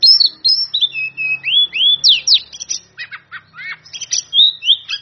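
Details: Oriental magpie-robin singing in a cage, its song meant to challenge rivals: long clear whistles sliding down, sharp upward sweeps, then quick stacked buzzy notes, loud and continuous.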